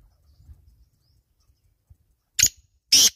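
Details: Black francolin (Francolinus francolinus) call: two loud, harsh, grating notes about half a second apart, after a quiet start with faint low rumbling.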